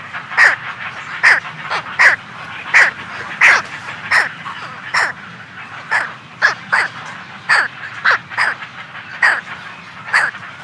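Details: A week-old brown pelican (Pelecanus occidentalis) chick gives harsh, raspy squawks, about fourteen in ten seconds at an uneven pace, with a faint colony murmur behind.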